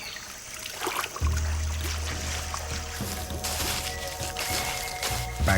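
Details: Background music with low sustained tones and a trickle of water, with no animal calls.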